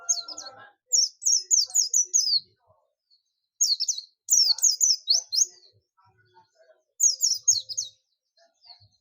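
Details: Oriental white-eye, buxtomi type, ngalas calling to bring in other white-eyes: fast bursts of five to eight high, sharp, down-slurred chirps, repeated in three bouts separated by short pauses.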